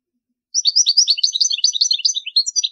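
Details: Goldfinch song for tutoring chicks: after a short pause, an unbroken stream of fast, high, liquid twitters and chirps, varied and tumbling, with a clean, quiet background.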